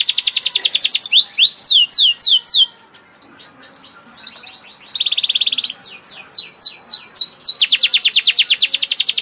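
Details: Caged-style canary song with rapid rattling trills, a run of downslurred sweeping notes, a brief quiet gap with soft chips, then more trills and a long dense high rattle at the close.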